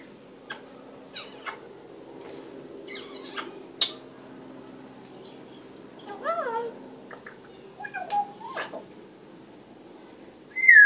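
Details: African grey parrot talking: scattered clicks and short chirps, then a wavering harmonic phrase near the middle, a falling nasal note a little later, and a sharp high whistle at the very end, with a steady low hum behind.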